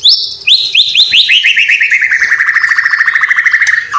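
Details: Imitation-rich song of a white-rumped shama from Cililin, copying sparrows, fighting lovebirds and sooty-headed bulbul: a few high whistled notes become a fast, even trill dropping gradually in pitch over several seconds.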